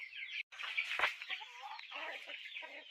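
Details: Chickens heard as a steady mass of high, thin peeping, broken by a sharp knock near the start, with some lower chattering notes toward the end.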